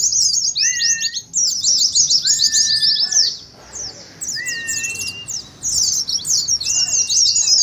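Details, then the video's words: Oriental white-eyes chattering in rapid ngeriwik bursts for training and contest simulation. High twittering stops briefly midway, then resumes, while level whistles sit lower in the background. "TERAPI PLECI NGERIWIK"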